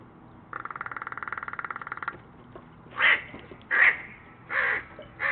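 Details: Crow giving its knocking 'peace' sound during an interaction between crows, an offer met with a squawk: a rapid, even rattle of knocks lasting about one and a half seconds, then four harsh, spaced caws.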